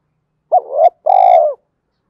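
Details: Spotted dove coo of the urging and calling kind, for training wild-caught and decoy birds to coo: a short swelling hoot, a short silence, then a longer steady hoot tapering off, recorded cleanly without background noise.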